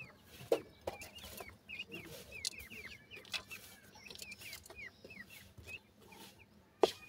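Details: Indian grey francolin chicks giving soft, high, hooked peeps in a steady busy stream, several birds overlapping, with a sharp louder knock near the end and a faint low background hum.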